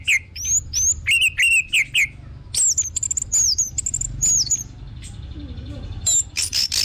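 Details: Orange-headed thrush song offered as a lure to get other birds singing: rapid high whistled notes, some slurred and rising, in quick clusters with short pauses, plus a low background rumble.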